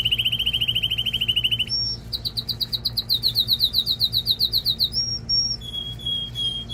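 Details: Male canary singing to stimulate pairing and train young birds: a fast even trill, a short whistle, then a pulsing repeated-note roll, more whistles and a higher clear tone, all loud and bright.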